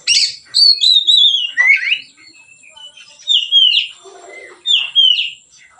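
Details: White-rumped shama in relaxed, open singing used as a lure for training other birds: a quick run of sweet, descending whistles, a pause, then three more bright slurred phrases at regular gaps.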